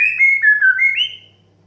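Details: White-rumped shama 'desahan' (sighing) song, meant to spur young, stressed and untrained birds into singing. Clear whistled notes slide downward, then climb into a higher closing whistle before fading to silence.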